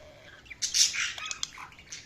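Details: Budgerigar chirping: a short run of quick, bright, scratchy chirps and twittering notes, fairly soft, lasting about one and a half seconds.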